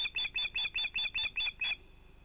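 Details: At sunset on 11 August 2018 an osprey calls at the nest during an evening fish delivery, two ringed chicks present: nine piercing whistled notes in a steady rapid string, then silence.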